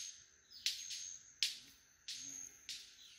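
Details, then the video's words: Male White-collared Manakins displaying at a lek at Rancho Naturalista Lodge in Costa Rica, calling and snapping their wings: four loud, abrupt snaps with brief ringing tails, spaced under a second apart, against constant high-pitched insect buzzing. "White-collared Manakins lekking in Costa Rica"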